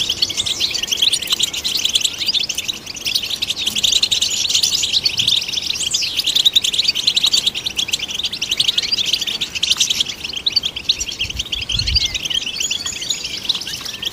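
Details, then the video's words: Long run of European goldfinch song, played to stimulate goldfinches: unbroken, densely packed high twittering and buzzy trills lasting about fourteen seconds, with an occasional soft low thud. "Golden Songbird vocal performance to stimulate the goldfinch"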